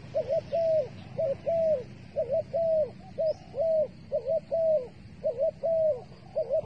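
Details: Dove used as a bait bird for trapping, giving a steady series of short, mid-pitched coo notes, slightly rising then falling, roughly two per second in loose groups, over a low steady rumble and faint high hiss.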